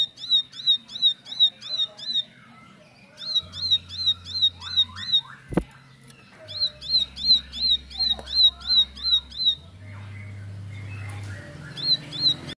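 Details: Bar-winged prinia song, used as a lure to make silent prinias answer: sharp, high chipping notes repeated nearly three a second in bursts, over a low steady hum and faint softer bird calls.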